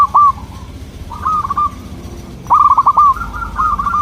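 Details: Soft, melodious local zebra dove song used to bait local doves into replying: short rolling trills separated by pauses, ending in a longer burst of rapid stuttering notes.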